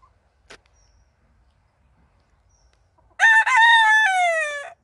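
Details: After about three seconds of near silence with a faint click, a Wyandotte rooster gives one loud crow: a clipped first note, a quick break, then a drawn-out, raspy, gradually falling tone.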